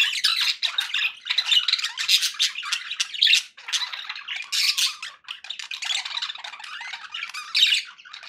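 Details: Pet budgerigars, described as happy, chirping indoors: dense, scratchy warbling chatter with rapid clicks and squeaky notes, nearly continuous with short pauses.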